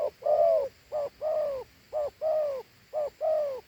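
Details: A Thổ Hú spotted dove coos in quick two-note pairs, a short note and then a longer, gently falling one, about four pairs in under four seconds, strong and clear.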